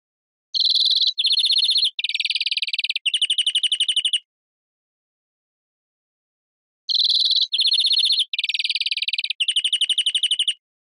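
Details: European greenfinch song phrase of rolling trills and a harsh buzzy wheeze run together over about four seconds, then repeated almost identically after a pause.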